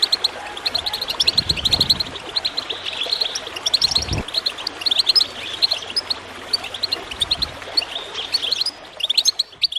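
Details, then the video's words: Goldfinches twitter steadily in busy, high chirps to encourage birds to sing, while water gurgles with a low steady hum and several dull splashing pulses. "Water gurgling with goldfinch chirping to encourage birds to song"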